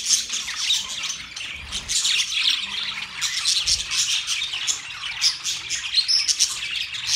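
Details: Chirping budgerigars (Australian parrots) fill the air with steady, high, twittering chatter, many voices overlapping into a continuous warbling wash with brief louder squawks throughout.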